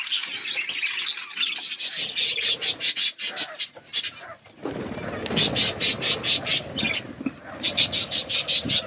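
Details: Feeding budgerigar flock: rapid sharp clicking taps repeated in quick bursts, mixed with high chirping chatter and squeaky calls.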